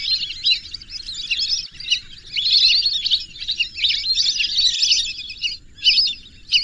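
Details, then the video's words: Lesser whistling ducks give a tumbling series of sharp, squeaky whistles, building to a dense, loud stretch midway before trailing into short separate bursts near the end. "whistling dack call/sound /বালি হাসের ডাক/শরালী পাখির ডাক"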